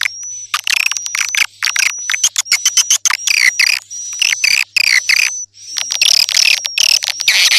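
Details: Lure call for attracting swiftlets. Loud, buzzy chattering bursts break off in short pauses, layered over a level high-pitched whistle tone.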